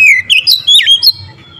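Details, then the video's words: Oriental magpie-robin in full voice, a short phrase of loud slurred whistles, rising and dipping, then a fading high note; the song is meant to stir up other magpie-robins. "TERAPI KACER LAIN LANGSUNG TERPANCING EMOSI GACOR DOR"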